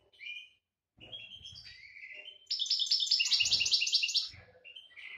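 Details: Breeding-season goldfinch song from 2018: slurred, twangy notes step along, then a loud, rapid rattle of high, bell-like repeated notes lasting over a second, followed by softer twittering.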